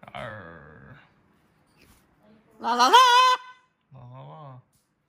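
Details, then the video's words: Pet macaw eating an almond gives a low growl, then a louder wavering nasal call, then another short low growl. "the macaw growls and eats an almond"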